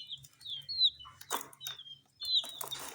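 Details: Tiny coloured chicks eating spicy Sun Poppers snacks give thin, high, downslurred chirps, scattered singly with short gaps, alongside soft tapping and rustling from pecking at food.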